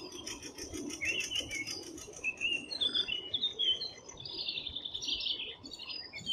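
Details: Thrush nightingale singing in Bryansk, Russia: a fast dry clicking rattle of evenly spaced pulses, then clear whistled notes at varied pitches, ending in a loud, harsh, buzzy phrase.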